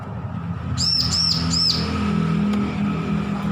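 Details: Young bar-winged prinia in song practice gives three quick, high arched chirps, then falls silent while low rumbling noise continues and a faint click sounds.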